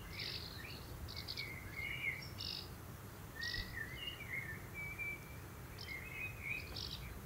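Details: Common kestrel, June 2024, father preparing food for the family; repeated, sliding whining calls, several drawn out and rising, recurring every second or so amid low steady background noise.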